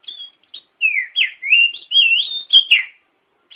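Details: Lure song of the Oriental magpie-robin, known locally as kacer, used to draw a reply: smooth slurred whistles that rise and fall in a near-continuous run, ending with a sharper down-slurred note.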